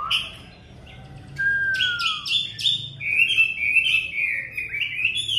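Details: Kept Chinese hwamei singing on a bitterly cold day: a long clear falling whistle followed by loud, varied, warbling phrases with rapid trills and sharp notes, over a faint low hum.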